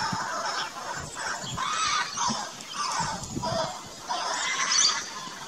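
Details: Juvenile laughing kookaburras calling in a backyard garden in Australia: harsh, squealing, broadband bursts repeated roughly every second, rough and noisy in texture, with no other clear sounds.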